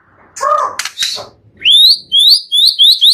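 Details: Murai batu, the white-rumped shama, in a full isian training song: a few lower slurred notes, then a run of bright, high rising whistles repeated about every half second.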